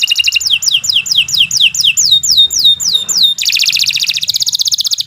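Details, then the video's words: Canary singing a long, continuous training song: rapid trills at about four per second, then a run of descending whistled slurs, then a dense buzzy high trill. "Kicau Burung Kenari 122 II LUAR BIASA GACOR PANJANG Cocok untuk Masteran"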